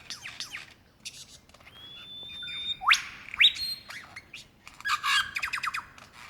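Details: Wild lyrebird, Dandenong Ranges National Park, Australia, February 2016, calling for a mate: soft chips, a long thin whistle, two sharp rising sweeps, then a rapid rattling burst of repeated notes.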